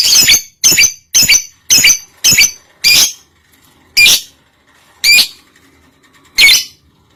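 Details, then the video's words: Lovebird in breeding condition, used as a master song to train other lovebirds: a run of six quick harsh chirping squawks, then three more spaced about a second apart. "Masteran lovebird birahi bunyi"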